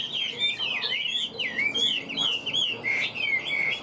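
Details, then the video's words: Loud, clear Hwamei song from a caged fig-leaf-tailed bird: rich looping whistles that swoop down and back up in pulses, with little else heard. "Họa mi vip đuôi lá vả cứng, hót cực tốt đấu tốt"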